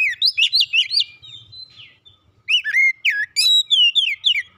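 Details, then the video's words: Kept magpie-robin in full song. Two dense bursts of sharp, sweeping whistles are separated by a brief quiet spell, with notes tumbling rapidly up and down. "kicauan indah memancing suara Kacer rumahan ikut gacor"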